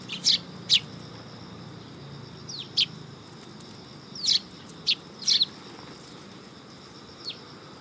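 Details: Sparrows coming onto a raised platform at a Tenmangu shrine, 3 September 2022, giving scattered single sharp chirps, sometimes doubled, spaced irregularly across several seconds over a quiet background.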